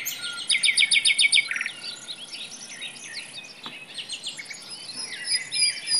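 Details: Nightingale singing in forest: a rapid, even series of loud repeated notes ending in a buzzy rattle, followed by softer, scattered chirps and twitters over a faint high insect hiss.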